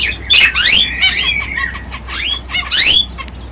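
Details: Male yellow canary singing: loud, sharp chirps with quick downward sweeps, bunched into bursts near the start and again near the end, linked by softer twitters, over a steady low hum.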